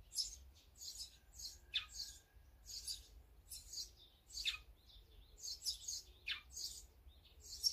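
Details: Birds eating together, sparrows, great tits, azure-winged magpies and brown-eared bulbuls among them, making dense high twittering with occasional sharp descending tweets and a thin faint whistle in the background.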